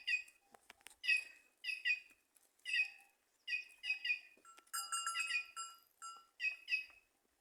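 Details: White-naped jay singing in trees at Simões, Piauí, northeastern Brazil: a run of clipped, ringing, nasal notes in pairs and triplets, with a brief busier chattering passage near the middle. The background is quiet.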